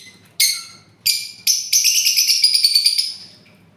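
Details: Parrot giving two short harsh squawks, then a longer rapid, pulsing screech that holds for over a second before trailing off.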